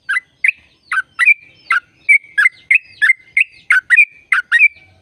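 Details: Yellow-vented bulbul song in the 'gacor' style, used to prompt caged birds to sing: evenly paced bubbly notes, each ending in a short whistled tail, about two each second.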